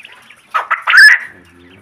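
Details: Male quail (kaadai) at a quail farm gives one loud, quick call of three rising, buzzy notes lasting under a second, with the last note longest, then goes quiet apart from a faint low hum.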